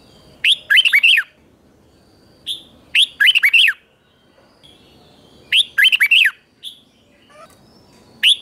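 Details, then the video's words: Red-whiskered bulbul repeating its chè-style morning training song: three similar phrases of quick looping warbled notes, each introduced by a short whistle, coming roughly every two and a half seconds. "Luyện chào mào hót sáng 2024, QUÁ HAY - CHÉ KÍCH BỔI CĂNG ĐÉT, luyện chào mào hót căng lửa"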